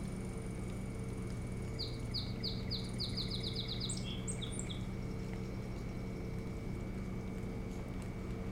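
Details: Osprey at a nest on Hog Island, near Bremen, Maine, captured by a nest cam on 25 July 2018: a run of high, clipped whistled chirps that speed up into a rapid series, then a few higher notes, all over a constant low hum.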